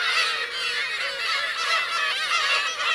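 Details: Black-tailed gulls, adults with chicks, at Kurosaki coast on Teuri Island, Hokkaido, 17 June 2021; a dense, steady chorus of many gulls mewing, with thin whistled notes scattered throughout.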